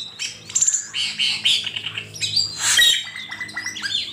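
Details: Asian pied starling, known locally as cucak keling, in a master recording for training songbirds: a dense, varied jumble of harsh squawks, clicks, buzzy notes and clear high whistles, continuous and fast-paced.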